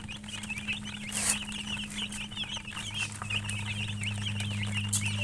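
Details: Dyed chickens chirping continuously in dense, high squeaky peeps, several birds calling over one another at a fast, irregular pace, with a steady low mechanical hum underneath and a couple of brief bumps.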